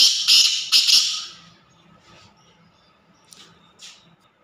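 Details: Black francolin, locally called kala teetar, giving a loud, harsh, grating burst of three rasping notes close together at the start, followed by quiet background with a couple of faint distant notes.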